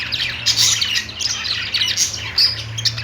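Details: Budgerigars kept at home chattering: bright, rasping chirps and short squawks in quick succession over a soft low hum.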